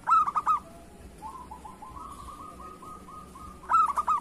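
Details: Zebra dove of local stock, singing strongly and used to lure others: a fast four-note cooing burst opens and closes the recording, with a long run of soft, even, repeated notes in between.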